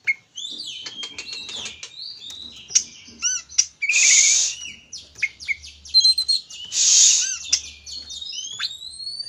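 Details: Oriental magpie-robin, locally kacer, singing to provoke a rival into song: varied whistles and quick chirps broken by two long harsh hissing rasps, with thin rising whistled notes near the end.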